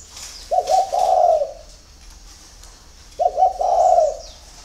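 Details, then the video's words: Early-morning spotted dove cooing: two low, mellow phrases about two and a half seconds apart, each opening with a few quick stuttered notes and ending in a longer drawn-out coo, with faint higher birdsong behind. "CU GÁY SÁNG SỚM"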